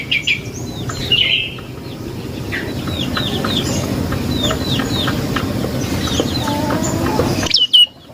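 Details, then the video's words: Lure song of a prenjak lumut, a prinia, meant to make other birds respond at once: a fast run of bright, down-slurred chips repeated many times, set against low steady background noise that ends abruptly. "Suara Burung Prenjak Lumut | Pancingan Prenjak Lumut Isian Sekali Denger Langsung Nyaut"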